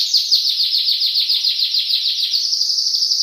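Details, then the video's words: Canary singing for a masteran recording, delivering a long, steady tour of rapid, evenly repeated notes forming a bright, slightly descending trill throughout. "Masteran Suara Kenari"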